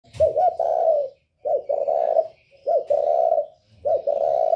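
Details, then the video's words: Spotted dove of the northern type with a 'còi bổi' voice, used as a lure to provoke other birds: four low, throaty cooing phrases come one after another about every 1.2 seconds, each opening with a short hiccup and then a held coo. "Chim cu gáy giọng còi bổi ghét kích chim rất hiệu quả, cu gáy miền bắc"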